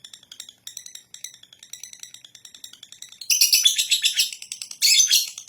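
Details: Lovebird giving a ngekek song: a run of thin, high chirps and short twittering notes, then two loud bursts of dense, harsh chattering that break out suddenly.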